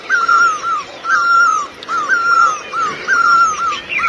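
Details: Great Barbet in Asia giving loud, wailing two-note 'pee-oh' calls, repeated about once a second in mewing, slightly descending phrases over faint background hiss.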